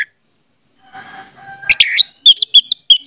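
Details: Orange-headed thrush singing as a lure for a silent bird: after a short stretch of soft background noise, a scratchy phrase leads into several repeated looping whistled notes.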